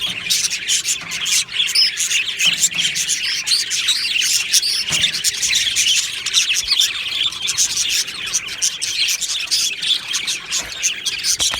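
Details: A colony of budgerigars in an aviary, 22 June 2025, producing dense, bright chirping and chattering warble from many birds, a constant high chorus with occasional sharper notes.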